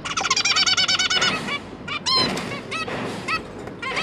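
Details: Zebra finch parents and three newly hatched juveniles during feeding, 1 October 2022. A rapid, steady series of pulsing nasal calls is followed by scattered upslurred beeps amid softer hissing chatter.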